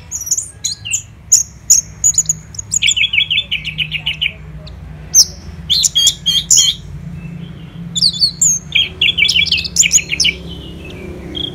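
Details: Orange-headed thrush kept as a contest songbird, singing a fast mix of high sharp chirps and rattling trilled bursts of repeated notes, phrases separated by brief gaps, over faint hum.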